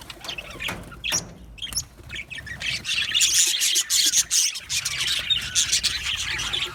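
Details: Budgerigars in an aviary colony, chirping happily: a few sharp clicks and chirps at first, then the high twittering chorus swells and stays busy to the end.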